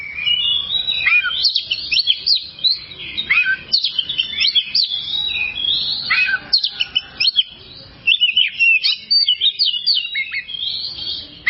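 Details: Oriental magpie-robin tutor song meant to help sluggish birds sing freely: continuous bright whistling with fast trills, sharp chips and swooping slurs in rapid clusters, a brief quieter gap, then more clipped notes.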